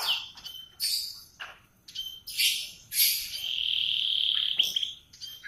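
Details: Morning canary song in short bursts of bright chirps and rattling trills, with one long steady whistled note held for over a second before brief closing chirps.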